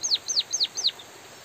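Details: White-headed munia in a training recording giving four loud, high notes in quick succession, each sliding sharply downward, with a faint soft chirp after.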